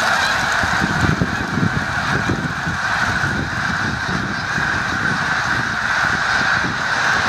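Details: A massed chorus of snow geese calling together in the Musconetcong river valley near the Delaware River, New Jersey; ceaseless overlapping honks over a low rumbling background.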